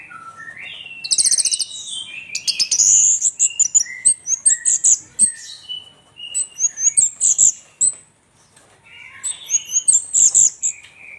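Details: Orange-headed thrush (anis merah tengleng) delivering a busy mixed song of shrill whistles, chips and trilled bursts, pausing about two-thirds through before resuming with more high chattering notes.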